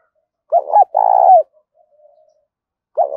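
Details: Spotted dove cooing to lure wild doves: two short, low hollow notes, then a longer rolling coo that falls at the end. A second phrase begins just as the recording ends. No other clear sounds.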